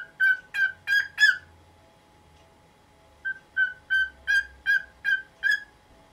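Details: Nineteen-year-old pet cockatiel in the morning, calling loudly to have the cloth over its cage removed: clear mid-pitched whistled notes repeated about every third of a second in two runs, four then eight notes.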